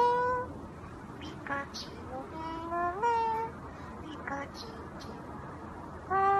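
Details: A pet Eclectus parrot singing and talking gives voice-like, tuneful phrases with gliding pitches, a few drawn-out notes separated by pauses, over a steady indoor hum.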